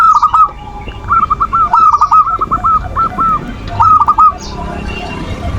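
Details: Perkutut manggung song for provoking opponents and passion in reluctant singers: a staccato series of bright arched cooing notes running for about two seconds, then a short burst of three more, with distant chirps.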